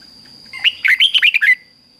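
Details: Red-whiskered Bulbul, a Thai cage bird, gives a doubled 'fik-jik-fok' training phrase for young birds to learn: about seven bright, bouncing whistled notes in one second, each sliding up, over a thin steady hum.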